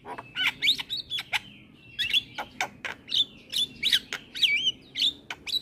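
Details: Javan myna in full, lively chatter song, used as a tutor recording while the bird bobs its head: dense run of sharp clicks, rasping bursts and whistled rising and falling notes, almost continuous over several seconds, with no other clear sounds.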